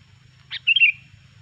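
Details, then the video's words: Sooty-headed bulbul song played as a trapping lure: one bright chirp followed at once by a brief, liquid, warbling phrase that wavers up and down, over a soft low hum. "suara burung kutilang gacor pikat terampuh"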